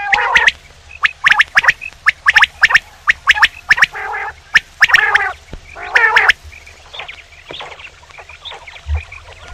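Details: Male common quail calling: sharp clicky notes in quick groups of two or three, mixed with rougher nasal harmonic bursts, repeated through the recording with short pauses between bursts.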